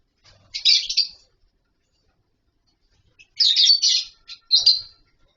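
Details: Captive lovebirds in a colony setup with wooden nest boxes and mud bowls, calling while eating and playing: two bursts of shrill, buzzy chirps, one short and one longer chattering run, with a quiet gap between.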